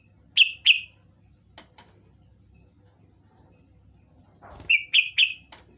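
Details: Yellow-vented bulbul lure song meant to draw replies from other birds: paired sharp whistled chirps, a pause with soft clicks, then a quick run of three or four bright chirps.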